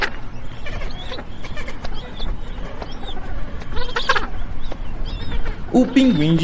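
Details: Magellanic penguin giving a short, loud, harmonic braying call near the end, coarse and goat-like; before it, scattered faint high chirps and clicks over a steady low background rumble.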